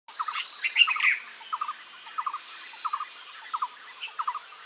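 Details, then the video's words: Himalayan bulbul calling in Uttarakhand, India: short clipped notes in clusters of two or three, repeated steadily about every half second, over a constant high insect drone. "Himalayan Bulbul Calling"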